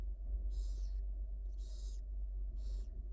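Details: Wild barn owl owlets begging as their mother feeds them in a nest at the University of Florida, filmed by a live nest camera: three harsh, hissing screeches about half a second long, spaced about a second apart, over a steady low hum.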